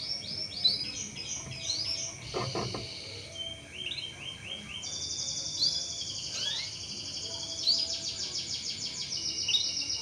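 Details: Canary song used to coax other canaries into singing: mixed chirps and a sustained bright rolling trill, with a brief low knock and steady background noise.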